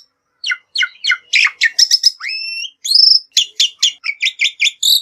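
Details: Black-winged myna song meant as a lure for other birds. Clipped chirps and one long rising whistle are followed by a run of rapid, buzzy, evenly spaced notes.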